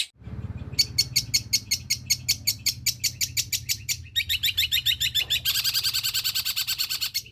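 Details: Long-tailed shrike mimicking other birds: evenly spaced dry ticking notes, then a rolling buzzy trill and a dense high chatter, over low rumbling background noise.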